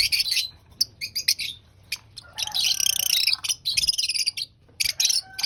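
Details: Lovebird at breakfast, eating: loud, harsh, high-pitched chattering in dense bursts separated by brief silences, with one longer buzzy stretch in the middle.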